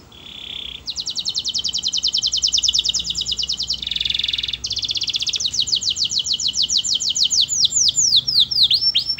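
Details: Singing canary delivering a continuous high trilled song: fast rattling rolls, a buzzy middle section, then slower sweeping whistled notes, all without a break for nine seconds.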